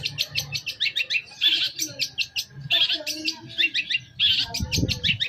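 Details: Long-tailed shrike lure song played to provoke a reply: quick strings of sharp chips mixed with harsh rasping bursts, a varied mimic-like chatter, with a brief low thump near the end.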